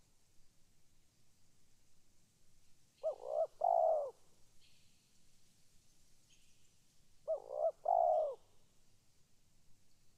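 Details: Spotted dove calling, giving two matching cooing phrases about four seconds apart. Each is a quick stuttered coo leading into a drawn-out mellow note, with faint thin chirps from another bird between them.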